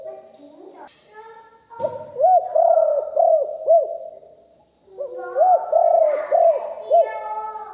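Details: Spotted dove used as a lure bird, live: two phrases of low, rounded coos, four or five arched notes each, with a brief knock and some rustling noise plus a continuous high whine.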